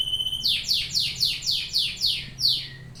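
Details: Domestic canary song: a series of loud, sweeping downward-slurred notes repeated about four times a second, each high and bright, following a brief steady whistled tone at the start.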